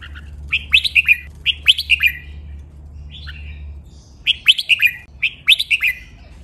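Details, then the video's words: Caged red-whiskered bulbul training song: two bursts of quick, sweet, warbled phrases, each of several sliding notes, then a lone short note and two more phrase runs; a low hum sits underneath the first half. "นกกรงหัวจุก | เสียงร้องเบิ้ล 23 นับดอก สำนวนเพราะ คมชัด (เสียงฝึกร้อง)"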